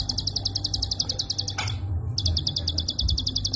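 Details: Prinia klik call as a songbird training master, fired in tight, long runs: rapid high-pitched clicks, cut by a short break with a brief sweeping sound before resuming, over a faint low hum.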